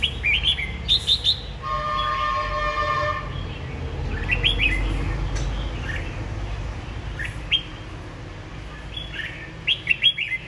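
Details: Red-whiskered Bulbul kept caged for about ten months, a veteran of café singing gatherings, delivering lively bursts of quick, high chirped notes scattered through the recording, interrupted early by a long steady vehicle horn, with constant low traffic rumble.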